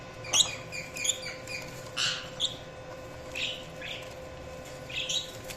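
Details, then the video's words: Budgerigar chirps spaced about a second apart: bright, short, slightly rising tweets and a few squawkier notes, over a soft steady hum. "Budgies Chirping sound"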